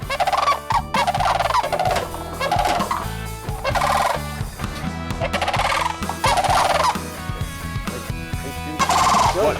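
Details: Whooping crane at Patuxent Wildlife Research Center, Laurel, Maryland, annoyed and defending its territory during the egg season, giving loud, rattling, trumpeting calls in bursts about every second or two, with music underneath.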